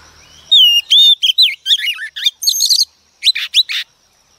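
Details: Wild-caught female Oriental magpie-robin singing to excite males into song. A dense, lively run of whistles, trills and scratchy chips lasts over two seconds, then a short gap and a few more sharp notes.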